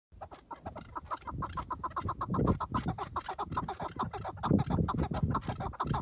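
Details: A tethered chukar partridge (Alectoris chukar), used as a decoy before a hunt, gives rapid, clucking chuk notes, about four a second, building into a steady chattering run with low rumbling noise underneath.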